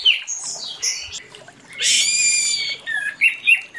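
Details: Orange-headed thrush singing in the morning, meant to lure silent birds: brief whistled phrases, interrupted by a harsh, buzzy, drawn-out squawk, then short bright whistles.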